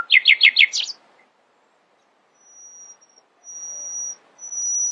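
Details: Nightingale singing in the early morning: a rapid burst of four repeated trilled notes, then long, thin, very high whistles drawn out after a short pause.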